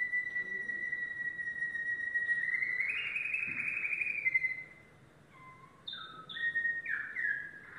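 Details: Yellow domestic canary singing a sustained even tone that swells into a rolling trill, followed by short clipped whistled notes jumping between pitches, with background hiss.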